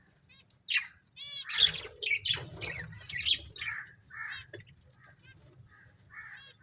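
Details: Budgerigars from a breeding pair giving scattered, separate chirps and short nasal squeaks with gaps between. A soft low hum runs underneath.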